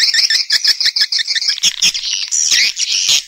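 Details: Swiftlet calling and roosting sounds in stereo: quick, high chirps repeated about twice a second, then blurring into rougher, overlapping buzzy twitters toward the end.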